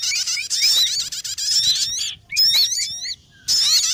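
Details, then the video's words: Sogon calls used as a lure for catching birds. Shrill chattering fills the first two seconds, then comes a burst of curling whistles, a pause and renewed chatter. "MP3 Pikat Sogon Paling Ampuh lansung Sambar"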